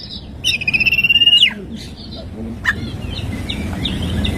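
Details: Morning song of an oriental magpie-robin with 'isian tembakan' fills: one strong, rapidly pulsed level trill ending in a dropping whistle, then scattered soft chirps over low background hum.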